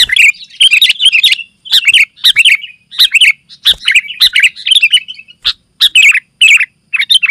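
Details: Sooty-headed bulbul in lively song used as a lure and tutor for other bulbuls; short bubbly chirping phrases repeated with brief gaps throughout.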